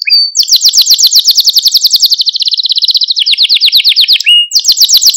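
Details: Song of a canary for teaching young canaries to sing: unbroken rapid buzzy trills shifting between higher and lower pitch, with about four notes per second in the later rolls.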